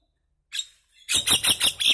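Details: Common myna singing: a faint rasp, a brief pause, then a quick series of five harsh, buzzy chirped notes, loud and bright.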